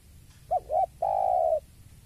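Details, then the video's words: Single cooing phrase from a spotted dove seeing a rival: two brief, bouncy notes, then a sustained, level coo lasting about half a second, over a soft low rumble. "Suara Tekukur Saat Melihat Lawan"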